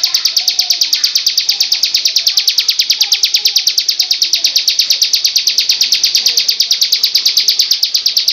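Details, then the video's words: Bar-winged prinia song used as a training recording: a long, unbroken string of piercing high notes delivered at a steady fast rhythm, several per second, with little background. "SUARA BURUNG CIBLEK"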